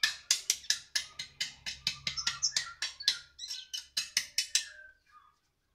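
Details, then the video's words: Sunbird singing in a lively, chattering run of harsh, high, sharp notes, about four to five per second, that fade out near the end into a quiet trailing call. "kolibri/konin,, super gacoo,,,rrr,,"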